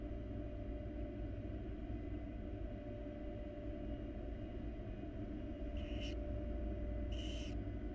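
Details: Wild barn owl mother with her chicks in a monitored nest box; two short breathy hisses near the end, about a second apart, over a loud steady low hum.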